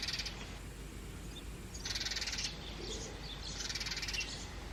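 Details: House sparrow nestlings, two of them, fed in a clay pot nest box: rapid buzzy chirp bursts about a second long, separated by short quiet gaps, with a constant low rumble beneath.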